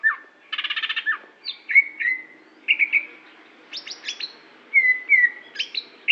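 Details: Varied song of a greater green leafbird from Aceh: a rapid stuttering rattle opens, followed by sweet downslurred whistles, sharp high chips and liquid phrases at a brisk, irregular pace.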